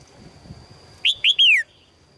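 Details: Calling female red-whiskered bulbul, aiming to attract a strong male, gives one three-note phrase of two short rising chirps and a long descending whistled slur, over low background noise and a thin steady tone.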